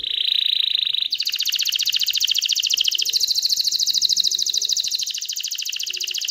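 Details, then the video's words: Aroused canary singing to stimulate hens to mate and build a nest: a steady high whistle followed by a sustained, fast, bright rolling trill. "تغريد كناري هائج لتحفيز الاناث على التزاوح وبناء العش"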